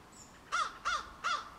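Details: Young crows, from newly fledged to almost juvenile, still learning their calls: three short, nasal, arched caws spaced evenly about a third of a second apart over a quiet outdoor background.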